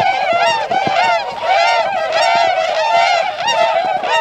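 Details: At Otakara-da pond in Azumino, Japan, tundra swans set off on 22 February 2013 to feed in nearby paddies. Loud, harmonic honks call over one another in a steady, busy chorus of roughly one and a half notes per second.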